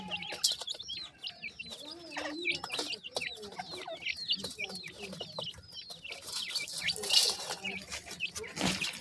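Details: A group of francolin chicks peeps continuously in thin, high, falling chirps, with occasional lower clucks, amid frequent sharp clicks and rustling handling noise.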